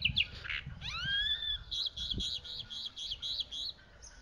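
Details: Mockingbird song, with a long smooth rising whistle followed by a regular series of high, scratchy repeated notes; the chalk-browed mockingbird is the singer, with a low rumble beneath.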